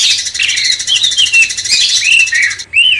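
A bulbul pours out a rapid, high, chattering warble of buzzy chirps and slurred whistles, ending in a brief rising note.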